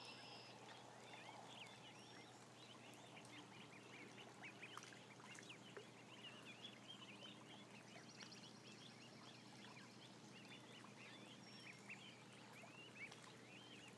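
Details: About a thousand ducklings together on camera: a long stretch of constant high peeping from many young birds, short upswept notes crowding each other over an even background hum.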